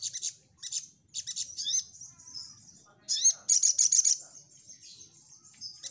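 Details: Energetic Crimson Sunbird song meant to lure other birds into answering: scattered very high chirps and slurred whistles, then a loud burst of rapid pulsed trilling after three seconds, ending in thin sustained high notes.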